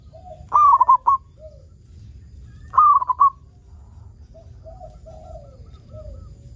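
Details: Local zebra dove singing steadily, used as a lure to prompt other zebra doves to sing: two stuttering cooing phrases, a rolled note followed by quick clipped beats, with soft lower cooing notes between them against a low background rumble.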